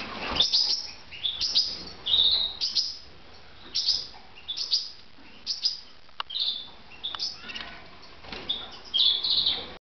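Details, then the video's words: Red mosaic canaries kept as pets give a steady run of chirps, high twittering phrases and whistled trills, repeated every second or so. "my canaries red mosaic"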